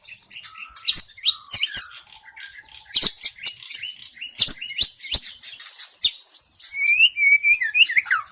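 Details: White-rumped shama from the forest, a lure sound for attracting shamas: clear whistled slurs and sharp snapping clicks in quick succession, ending in a run of rising and falling whistles.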